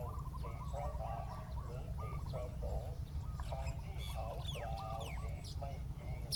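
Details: Spotted dove used as a decoy to lure a wild spotted dove down to the ground: low, rounded coos in repeated phrases over a steady deep rumble, with faint high chirps from other birds.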